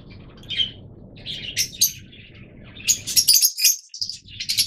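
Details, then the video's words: Busy, high, rasping chatter from yellow-coloured Fischer's lovebirds, notes tumbling in uneven bursts that grow denser and louder toward the end. "Yellow Fischer's Lovebirds"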